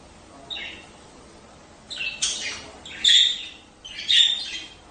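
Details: Budgerigar breeding calls, played so pairs lay eggs quickly: soft chirps at first, then louder harsh squawks with whistled tones, returning about once a second.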